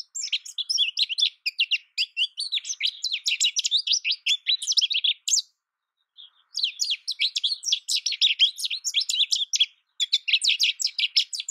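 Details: American goldfinch pouring out long, bubbling strings of high chattering and twittering notes, broken by one clear pause of about a second midway, then another outburst of fast varied phrases.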